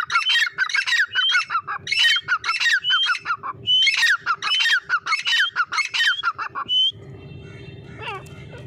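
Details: Grey francolin calling: harsh, squawky multi-note phrases with clear rising whistled notes, repeated rapidly for about seven seconds, then stopping, leaving a low background rumble and a faint descending note.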